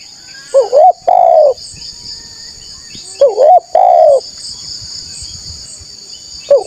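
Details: Loud spotted dove coos used to lure and draw replies from wild doves: two full phrases of a stuttered rising coo then a long sustained falling coo, a third beginning at the end, with a constant high-pitched hum behind.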